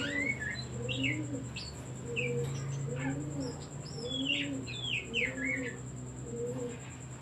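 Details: Oriental magpie-robin singing as a lure to rouse other songbirds: bright whistled phrases with downward slurs, clustered notes every second or two, accompanied by a dove's rhythmic low coos and a faint continuous high tone.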